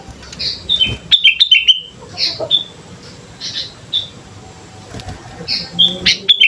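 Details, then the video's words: Sooty-headed bulbul in full song, used as a lure to set other birds singing: bright whistled notes in short clustered phrases around mid pitch, some bursts of rapid chirps, over a steady low background hum. "pancingan suara burung kutilang gacor"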